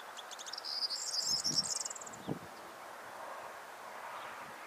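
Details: A male corn bunting sings hard at Marshfield, South Gloucestershire, England, on 5 June 2014, a local last stronghold; a quick jangling phrase of high ticking notes speeds up into a dry rattle.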